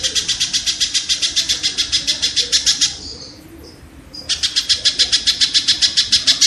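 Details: Kingfisher calling in a dense train of harsh, rattling notes. It pauses about a second amid soft scratchy sounds, then resumes just as rapidly. Recording used to train songbirds.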